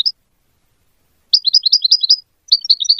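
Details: Singing goldfinch intended as a model for hybrid chicks: after a brief chip and a pause comes a lively, rapid series of high chirping notes with a small break in the middle, continuing to the end.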